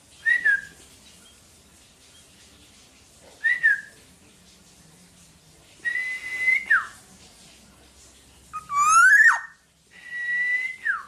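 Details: Loud singing Black-naped oriole, recorded as master song for other birds: spaced, clear whistles that bend downward, a longer level whistle ending in a drop, a sharply rising bright note, and a final even whistle falling at its end.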